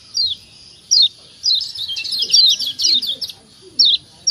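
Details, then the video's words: Lombok yellow white-eye, played as a lure to make other birds answer and sing. Sharp, high, downslurred chirps come singly, then crowd into an overlapping twittering cluster in the middle before single notes return. "Ciak ciak Jos Kecial Kuning Ampuh Merangsang Bunyi Jadi Rajin Bunyi 100% Yang Dengar Nyaut"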